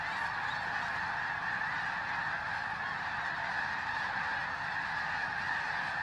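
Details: Thousands of snow geese fly in before dawn to join resting birds at Bosque del Apache, San Antonio, New Mexico, in freezing cold. An unchanging din of overlapping honks and yelps continues without pause.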